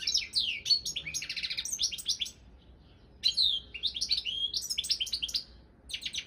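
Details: European goldfinch of the Balkan form singing in a song competition: rapid twittering phrases of high, sliding chirps and buzzy trills, two bursts separated by a pause of about a second, no other sounds.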